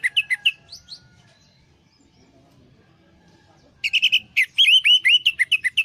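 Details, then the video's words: Lure song of an orange-headed thrush for stressed birds that stopped singing: a burst of sharp chirps, a quiet pause of several seconds, then a fast, rich series of looping, whistled and chattering notes. "pancingan Anis merah setres dan macet bunyi"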